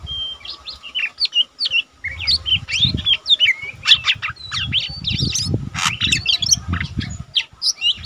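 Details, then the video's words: Tutor recording of a caged lesser green leafbird, the mini cucak ijo, singing steadily: a dense, fast run of chattering, twisting whistles and chirps over a low background rumble. "cucak ijo mini bahan udah rajin bunyi cocok untuk masteran burung cucak ijo mini"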